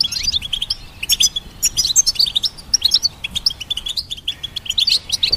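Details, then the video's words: Goldfinch singing a rapid liquid twitter of high sharp notes in quick bursts, the chatter running continuously with brief dips, no other clear sounds. "Goldfinch Symphony orchestrated by nature's motivational melodies"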